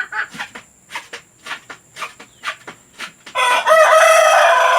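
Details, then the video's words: Domestic hens recorded to encourage laying: a run of short clucks about every half second, then a loud sustained crow from a rooster. "Suara pemikat ayam betina agar mau bertelur"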